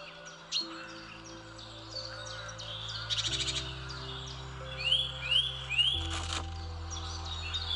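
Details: Wild parakeets in St James's Park, London, give sharp chirps, a few rising squeaky notes and two harsh rasping bursts, over a steady background of soft sustained music chords.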